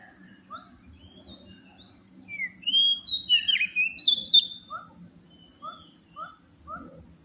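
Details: Oriental magpie-robin lure sound: soft chirps leading into a loud, varied series of bright sliding whistles, then several short downslurred notes spaced about half a second apart, over a low hum.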